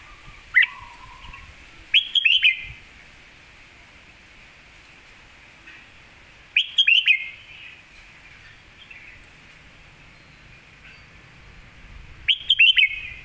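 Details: Red-whiskered bulbul delivering master song for teaching birds, with attractive flourishes: short, crisp bursts of three to five fluty, bouncing whistled notes, repeated four times with long quiet gaps between phrases.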